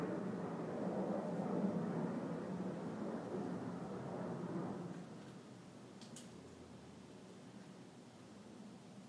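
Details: Broadband hiss and low hum fade after about five seconds, with one brief click and no animal voice.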